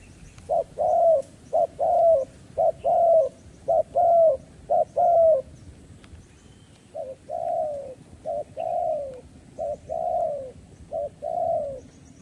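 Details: Spotted dove used as a trapping decoy, calling wild doves in: a run of low coos in short-long pairs, bright and steady at first, then a softer, more distant-sounding series after a brief pause.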